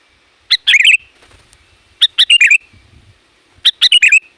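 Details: Loud, varied sooty-headed bulbul calls used to attract wild bulbuls and challenge rivals: three bubbly chirping phrases, each a short clipped note then a tumbling warble, spaced about one and a half seconds apart.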